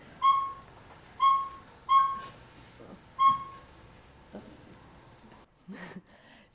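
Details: Male Northern Saw-whet Owl giving his monotonous March tooting, four clear whistled toots on one steady pitch, roughly one per second, followed by faint rustling and a brief voice.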